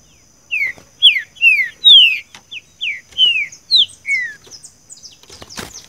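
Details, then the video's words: Green-winged saltator, "seu chico" song style for training a caged bird: a long phrase of about ten clear falling whistles at a steady pace, fading into soft high chirps, with a brief broadband knock near the end. "trinca ferro canto seu chico"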